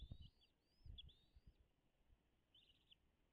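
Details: Wild American bald eagles at their nest on Dale Hollow Lake, a reservoir on the Kentucky-Tennessee state line, at 10:58 in 2022: a few thin, high, slurred whistles and chitters, with low thumps and bumps at the nest.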